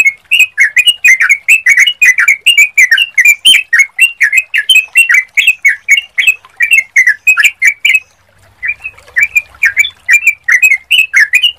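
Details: Lure recording of sooty-headed bulbul song meant to draw a reply from other birds; a long run of fast, liquid, warbled notes repeated several times a second, broken by one brief gap near the end.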